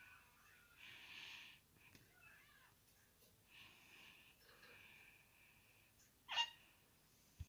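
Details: A pet budgerigar at breakfast with a kakariki gives soft, scratchy chatter in short warbling bursts, with one sharp, loud squawk near the end.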